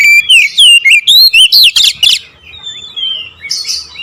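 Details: Oriental magpie-robin singing in the nembak ngerool style: a rapid run of loud, clear whistled notes sliding up and down, about eight in two seconds, then fading into softer, thinner warbles.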